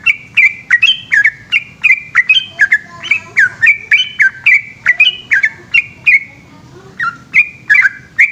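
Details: A yellow-vented bulbul (trucukan) in Indonesia delivers its long night-time 'ropel' song: bubbly, liquid whistled notes rattled out in quick succession with a brief pause near seven seconds, and a soft low rumble behind.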